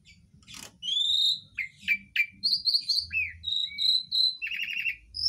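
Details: Asian pied starling in a rich mimicry medley: a rising whistle, three chopped descending notes, repeated piping notes around four a second, then a buzzy stuttering trill and a final clear whistle.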